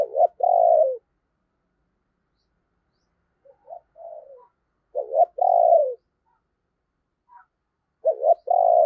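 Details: Spotted dove kept as a lure bird, its thunder-voiced cooing meant to attract wild doves: three repeated phrases of a short double hoot followed by a long, slightly falling coo, and faint soft notes in between.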